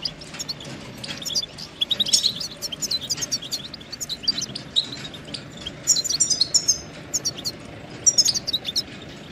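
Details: Goldfinch song: rapid tinkling twitters and chirps, high and bright, in bursts over a steady low background hiss.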